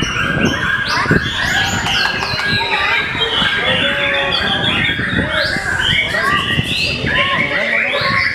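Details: White-rumped shama singing slowly yet with a loud, carrying voice: rapid varied whistled phrases with rising and falling sweeps and sharp chips, dense overlapping bird calls and steady human talk in the background.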